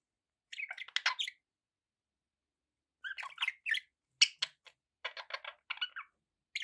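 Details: Pet budgerigars with background noise give soft, quick squeaky chirps and short warbles in small clusters, after a two-second pause.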